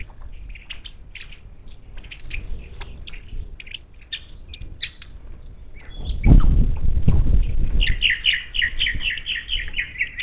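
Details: Wild monk parakeets visiting a Gulf Coast bird feeder near Houston, Texas, 10 March 2021; rapid harsh chattering calls, a loud flapping thump midway, then a quick run of repeated squawks.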